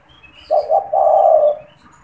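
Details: A single phrase from a caged spotted dove kept as a lure for wild doves: two quick low coos followed by one long, steady hooting note, with faint small-bird chirps above.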